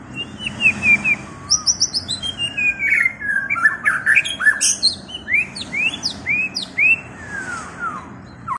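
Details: White-rumped shama pouring out a long, varied song of clear whistles, high thin notes and quick upward-sweeping slurs, delivered in rapid succession with brief pauses.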